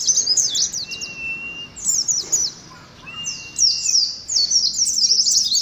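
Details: Oriental white-eyes trading 'ngalas' contest song: clusters of quick, high, chattering notes separated by pauses, with two long even whistles in the gaps.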